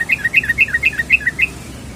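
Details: A female yellow-vented bulbul calls to a male with a rapid run of bright, bouncing chirps. The notes alternate up and down in pitch at about five per second against a quiet low background.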